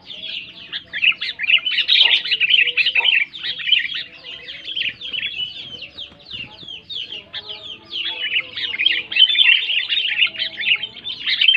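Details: Sooty-headed bulbul singing loudly to draw silent bulbuls into song: an unbroken stream of rapid, overlapping chirps and bubbly warbles, with no real pause throughout.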